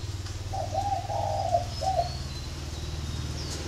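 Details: Spotted dove from a flock kept at a bird garden in Ba Vì, Hanoi, Vietnam: one mellow low coo phrase of three joined, slightly wavering notes, with a steady low hum beneath and faint high chirps.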